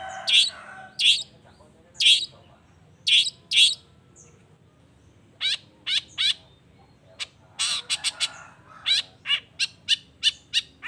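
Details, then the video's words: Long-tailed shrike in full, vigorous song, used as a lure to make other shrikes answer; harsh buzzy bursts come about once a second, then a quicker run of sharp chattering notes. "Cendet Gacor Efektif Pagi Siang Sore Rajanya Bikin Cendet Lainya Spontan Nyaut Bunyi Penuh Emosi"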